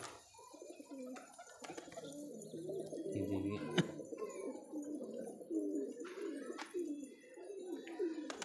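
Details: Domestic pigeons kept by their owner, cooing while the flock is shown flying; soft, low, throaty warbling coos rise and fall in overlapping bouts throughout, with faint rustling and a brief distant voice in a small room-like space.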